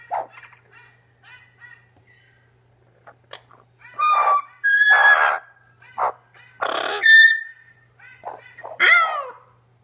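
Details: A male double yellow-headed amazon (Amazona oratrix) reacting to footage of himself gives loud, harsh squawks with shorter chattering and whistled notes in irregular bursts; a red-crowned amazon companion also reacts in the background; faint electrical hum.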